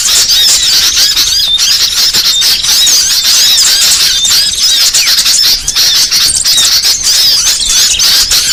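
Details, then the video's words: Trapping lure of small birds, a crowded, steady chorus of thin high chirps, squeaks and swooping whistles overlapping continuously, dipping only briefly around five and a half seconds. "Suara paling ampuh pikat segala jenis burung kecil"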